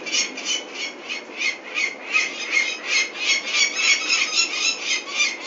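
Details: Peregrine falcon calling at Venlo, Netherlands, 21 May 2024, as the chicks are collected for ringing; loud, harsh, chattering notes repeated about three times a second, swelling and fading in a steady series.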